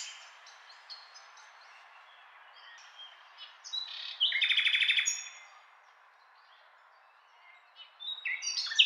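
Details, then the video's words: Varied nightingale phrases open quietly, then a loud rapid rattling trill lasts about a second, followed by near silence and a final burst of sharp rising notes. "Beautiful Nightingale Singing"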